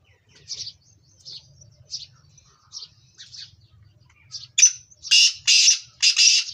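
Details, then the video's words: A black francolin gives a series of short, scratchy high notes that build into loud, harsh, grating squawks about twice a second, with faint low rumble beneath. "Black Teetar Fun Call"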